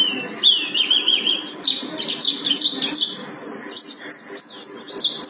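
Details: Mountain white-eye (pleci buxtoni) from Gunung Karang: a lower warbled opening, then a busy jumble of high twittering and chipped notes ending in short clear whistles, over a faint background hum.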